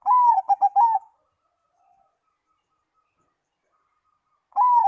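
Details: Zebra dove song that prompts other doves to answer: a loud phrase near the start of soft, rapid cooing notes, a drawn-out first note then four quick pulses, repeated once near the end after a long silence.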